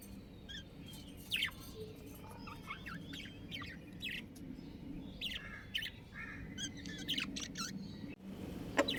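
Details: Budgerigar breeding pair chirping in a busy run of short, squeaky, buzzy notes and squawks throughout, over steady low background noise.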